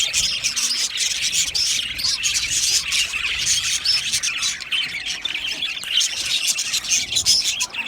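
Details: Budgies singing in a steady mass of high chirps and scratchy warbling squawks, continuous and evenly loud for the whole stretch.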